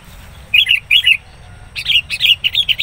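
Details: Sooty-headed bulbul used as a decoy for trapping wild bulbuls, calling fiercely as a rival approaches; two short bursts of bubbly, slurred chirps, then a longer run of lively warbled notes.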